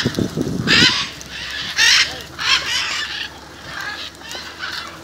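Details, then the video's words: In Jaumave, Tamaulipas, in February 2015, a flock of macaws assembles near a house; a low thump opens, then three strong rasping squawks follow about a second apart before fainter calls trail off. "Guacamayas, Jaumave Tamaulipas"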